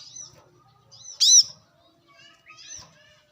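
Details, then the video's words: Brown-throated sunbird recorded in the wild as a lure and training sound. A single loud arched chirp rises out of soft high twittering and thin whistled notes, with a faint low rumble at the start. "kolibri kelapa | manggar | wiceh | pancingan korlap dengan suara asli alam liar gacor"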